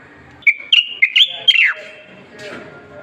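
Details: Strong song of a Moroccan black bulbul (common bulbul): one rapid phrase of five fluty whistled notes, level then stepping up, finishing in a falling slur, followed by soft background noise.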